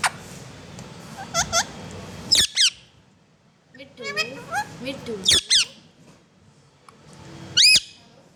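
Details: Talking parrot saying "mithu": harsh, ringing squawks mixed with nasal, speech-like syllables that wobble up and down, in three bursts separated by quieter gaps, over a steady low background hum.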